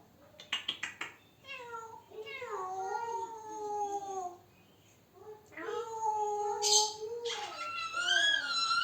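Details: Male African grey parrot kept as a pet, talking to himself in a run of clear whistled, speech-like phrases that slide downward and then rise, with short clicks at the start and a high squeak near the end.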